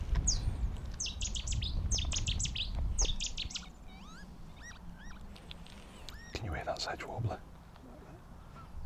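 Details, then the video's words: A Sedge Warbler sings on Anglesey over a bank holiday weekend: fast, scratchy chattering phrases, then a few sliding whistled notes, over low wind rumble and quiet voices; two are then seen chasing each other. "Can you hear that sedge warbler?"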